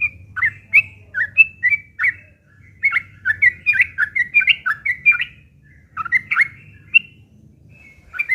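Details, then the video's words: Fighting song of a Yellow-vented bulbul, harsh and chattering, played to make other bulbuls reply; quick runs of gurgling, slurred notes with short gaps, steady low hum in the background. "trucukan gacor TARUNG ngeriwik kasar pancingan trucukan agar bunyi"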